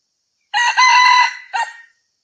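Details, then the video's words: Crowing of a red junglefowl offered as a lure for hunting, a sustained raspy tone lasting around one second followed by a brief separate closing note, with silence around it. "SUARA AYAM HUTAN MERAH cocok buat pikat"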